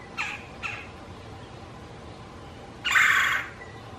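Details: A male Red-bellied Woodpecker at his nest box, listening for and getting a response from an interested female, gives two short, harsh notes, then after a pause one longer, louder rolling churr, a territory and mating call; quiet background.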